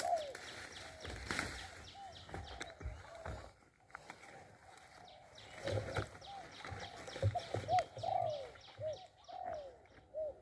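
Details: Spotted dove in a decoy-trapping session in Thailand: soft, low cooing phrases of short arched notes repeat through the clip, with several birds apparently overlapping, among light clicks, rustling and faint background murmur.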